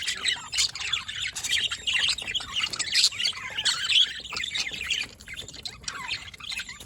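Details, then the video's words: Budgerigars chirping in a dense, continuous chatter of buzzy, warbling high notes with squawks mixed in, several birds calling at once. "Budgies Parrot Can Talk Chirping Sounds"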